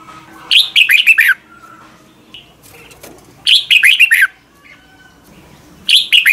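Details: Red-whiskered bulbul morning song recorded to train other birds: three lively phrases of quick, warbling whistled notes, spaced roughly two and a half seconds apart, with a faint background hum.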